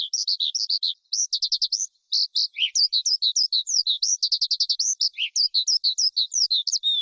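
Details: High, varied skylark song of quick trills and chirping phrases, briefly pausing near the start before resuming with fast rattles and slurred whistles.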